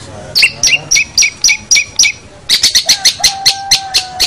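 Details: Long-tailed shrike master song meant to teach other birds: a run of evenly spaced two-part chirps, about four a second, then a faster string of sharp clicking notes over a thin steady whistle.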